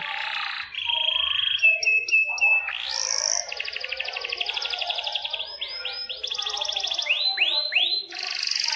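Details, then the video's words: Strong canary song, used to teach young canaries and restart silent ones: varied phrases of fast buzzing rolls, long pulsed trills and repeated rising swoops, with overlapping singing throughout. "Kenari GACOR PANJANG INI Cocok untuk Masteran KENARI PAUD dan Kenari Macet BUNYI"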